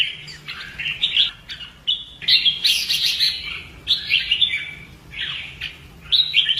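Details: Red-whiskered bulbul singing in fighting style during voice training; rich chattering warbles with rapid, stuttering high notes in the middle and short pauses between phrases.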